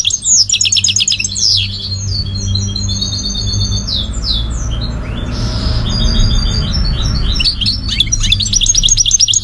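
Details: Goldfinch song, with bursts of fast high twittering and rattling trills at the start and end, and a noisier, quieter stretch in the middle over a low rumble.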